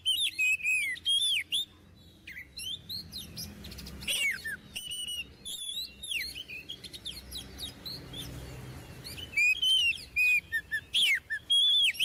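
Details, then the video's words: Oriental magpie-robin singing energetically, a kept bird used as a tutor for learning birds: clear whistles, slurred notes and scratchy chirps in fast irregular bursts, with a quieter stretch in the middle. "Kacer Gacor~Cocok Untuk Di Jadikan Masteran Untuk Burung Kacer Bahan"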